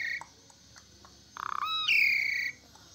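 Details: Asian pied starling singing vigorously: a short burst of rapid pulsed notes, then a loud, harsh whistled note that slides downward and holds for about half a second, with a quiet background.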